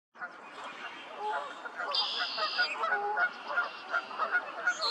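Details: Male green-winged teals with an American black duck at Beaver Marsh, Cuyahoga Valley National Park, Ohio, March 12, 2020: short clear whistled peeps about twice a second over buzzy, nasal duck calls.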